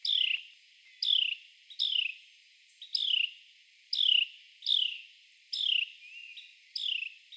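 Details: Sharp, falling chirps from a male Carolina wren crawling on a tree trunk and eating insects, about eight loud notes roughly one per second, some followed by softer, quick echoing notes.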